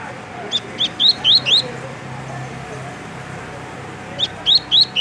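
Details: Caged double-collared seedeater from Rio de Janeiro, Brazil, singing in the tui tui style: two bursts of short, sharp, upslurred whistled notes, four or five quick notes each, separated by a pause of over two seconds.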